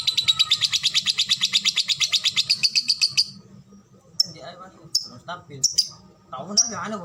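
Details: Lovebird ngetik-ngekek performance: a fast, high chattering rattle for about three seconds, then a pause and several isolated sharp ticks, with speech in the background.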